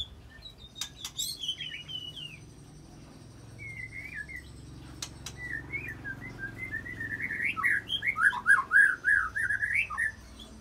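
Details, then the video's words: White-rumped shama delivering a mimicry-filled song of cililin and long canary rolls to set off other shamas; sparse soft whistles build into a loud, rapid warbling stream. "Bongkar Isian Murai Isian Cililin Sambung Kenari Ngerol Panjang"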